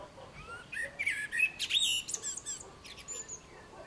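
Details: Common blackbird singing: a busy run of fluted whistles and sliding notes near the middle register, broken by high squeaky twitters, with short phrases crowding one after another and faint background chirps.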